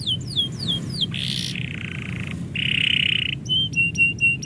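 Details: Singing canary as its owner is about to go: descending whistles, a loud harsh buzz, a low burry trill, a fast warbled roll, then clipped repeated high chips.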